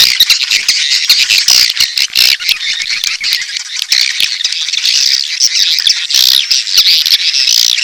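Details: Edible-nest swiftlet mating call combined with chick calls, a rasping, high chittering chorus with scattered clicks and occasional louder broadband bursts.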